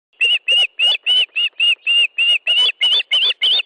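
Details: Osprey at a nest in Estonia, 18 July 2013 at 10.30, during a fish delivery: a fast, even series of about a dozen sharp, piercing chirped calls, roughly three per second, edging higher toward the end.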